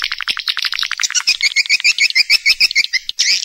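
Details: Lure recording of swiftlets played to attract the birds into nesting houses: a rapid series of short high chirps, about three per second, becoming sharper, evenly spaced twitters before a final longer squeaky burst.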